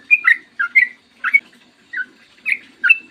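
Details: Yellow-vented bulbul (trucukan) in morning song, described as a long, rapid, clear 'ropel panjang' style and used as a lure to prompt other bulbuls to sing: six short bursts of bubbly, chirpy notes over a faint low hum.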